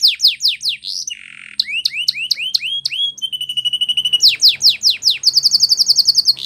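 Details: Spanish Timbrado canary song for training: fast falling slurred notes repeated in series, a buzzy low trill, then rapid repeated chips and a dense mechanical rattle near the top, with faint low hum beneath.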